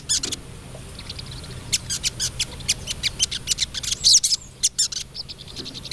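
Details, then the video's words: A female crested jay calls for a male with sharp, high, staccato notes spaced about a third of a second apart, building into a louder buzzy cluster near the end. "SOGOK ONTONG BETINA GACOR"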